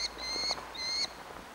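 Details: Begging Merlin chick, an orphaned fledgling in Engerdal, Norway, July 2011: two drawn-out, even, whining squeals, each about half a second long and separated by a short pause.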